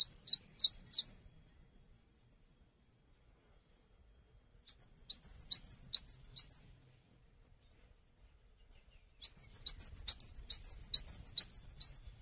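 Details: Cinereous tit in lively song for tutoring other songbirds: three separate bursts of high, bright, chirping two-note phrases, each burst lasting one to three seconds and separated by silences of several seconds.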